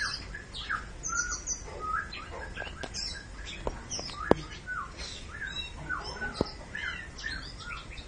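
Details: Oriental magpie-robin song: a busy run of varied whistled notes, short rising and falling slurs and chattering phrases, broken by several sharp clicks, with other bird notes and a low background hum throughout.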